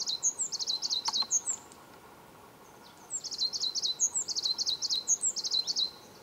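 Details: Tenerife blue tit in Tamadaba Natural Park, Gran Canaria, March 2010, giving quick series of thin, high, buzzy notes in two bursts, several notes per second, over a soft background hiss.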